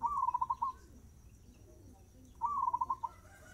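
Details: Zebra dove song at a quick tempo, two beaded phrases each made of a short upward note and a rapid string of soft pulsed coos, separated by about two seconds of low hum.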